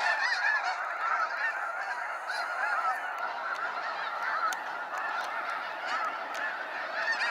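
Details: Large flock of snow geese at a sunset fly-out at Sacramento National Wildlife Refuge, a dense continuous chorus of overlapping nasal honks and yelps with no pauses.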